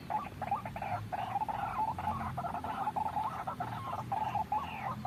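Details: White-breasted waterhen lure sound used for trapping: dense, chattering croaks tumbling over each other in a fast, irregular series, harsh and nasal, with low background hum.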